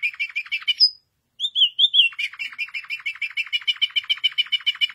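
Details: White canary song: quick buzzy chirps, a high sharp note, a brief silence, a few sweet slurred whistles, then a long fast trill of rapid repeated notes.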